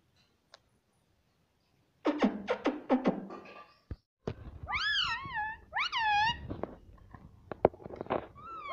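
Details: Talking pet parrot, said to repeat "Mummy": a flurry of sharp clicking taps, then wavering, nasal, voice-like notes with strong harmonics, rising and falling in short phrases, with more clicks between.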